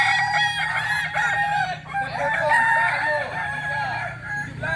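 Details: Solok, West Sumatra Kokok Balenggek chicken crowing in a continuous chain of wavering harmonic syllables, with a brief dip near two seconds, over a steady low hum.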